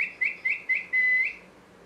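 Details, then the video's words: Parrot chirping: five short, bright whistled notes at one pitch, evenly spaced about a quarter second apart, the fifth slightly longer and purer, over faint background hiss. "Parrot Chirping Sounds"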